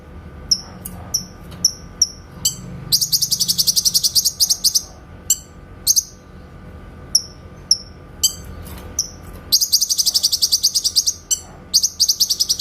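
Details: Grey-cheeked bulbul master song for training shamas: evenly spaced thin high whistles broken by two long rapid rattling trills of dense chirps, plus scattered single downslurred notes.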